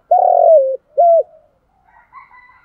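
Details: Spotted dove acting as a decoy for wild doves: a long buzzy coo sliding lower, a short level coo after it, then faint distant chirps.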